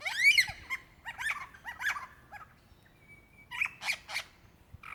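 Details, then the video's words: Calling male lyrebird seeking a female, Dandenong Ranges National Park, Victoria, Australia, in February 2016; arching whistled phrases and clustered chirps, a brief steady tone, then loud rattling bursts near the end. "Rare and incredible sounds of a Lyrebird calling for his mate"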